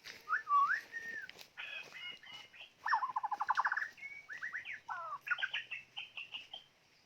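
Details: Decoy white-rumped shama singing a rich, varied song: loud whistled phrases, slurred up-and-down notes, and a fast, even burst of repeated notes in the middle, with short pauses between phrases.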